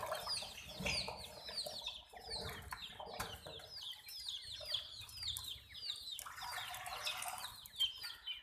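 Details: Chicken chicks chirping in a busy chorus of many high, downward-slurred peeps, overlapping and repeated rapidly, with faint clucking, rustling and background noise.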